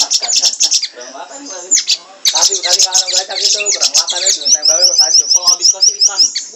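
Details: Siri-siri in full, energetic song, used as tutor recording for training cage birds such as Murai batu, Kacer and cucak ijo: loud, dense, fast chattering and trilling phrases, high squeaky notes and a rapid repeated high note series.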